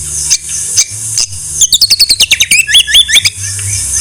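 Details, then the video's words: A white-rumped shama sings in a songbird training recording: a few spaced high notes, then a rapid series of curling, looping whistles delivered about three per second. "Masteran MURAI BATU No.1 paling di cari kicau mania mantab"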